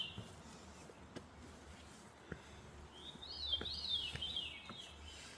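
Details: A Veery sings on the Appalachian Trail in New York on June 26, 2025: a single breezy, downward-spiralling phrase with a hollow, pipe-like ringing quality, after a few seconds of quiet outdoor background with faint clicks.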